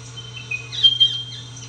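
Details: Spotted pardalote with a short run of thin, high whistled notes over a constant low hum.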